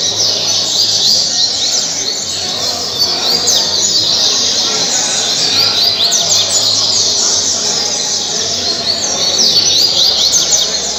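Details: Caged Double-collared seedeater (coleiro) singing the caribe song style at Mambucaba park, Angra dos Reis, Brazil: rapid, twittering high notes with quick down-slurred sweeps, sung almost without pause over a steady hiss.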